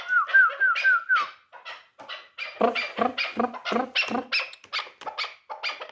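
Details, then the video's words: Dulan-type hunting chukar partridge, three years old, starting with a short string of falling whistles that turns into loud, throaty chuk notes repeated several times a second. "Кабки дулан"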